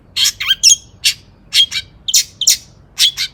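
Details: Long-tailed shrike in agitated song aimed at provoking other shrikes: short, harsh, squeaky chirps in separate bursts, about one each half second, some with brief whistled tails.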